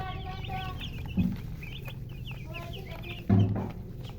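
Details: Chickens chirp in quick high peeps mixed with some lower, fuller notes, over a low hum. Two short loud low bursts break in around one and three seconds.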